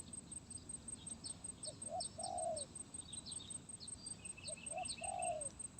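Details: Distant spotted dove giving 'gagap tindan' sepatah song, 23 January 2022: two soft phrases of small lead-in notes and a falling coo, nearly buried in steady hiss, insect buzz and high chirping of other birds.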